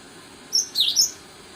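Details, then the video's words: Java sparrow giving a brief burst of song: a thin high whistled note, then a slurred, descending chirp and another high piping note, all within half a second over steady faint background hiss. "Burung Master Gelatik Jawa Full"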